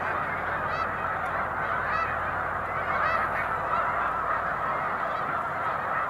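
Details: Snow geese taking off en masse ahead of an approaching boater, March 2021; a dense, unbroken honking chorus, scattered louder individual calls poking through the steady roar of the flock.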